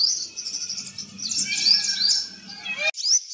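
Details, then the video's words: A purple sunbird in eclipse plumage sings in a garden. It gives a continuous high, thin warble with sliding whistled notes, and fainter lower tones and a background hum run beneath it. "Purple sunbird in eclipse plumage singing different songs"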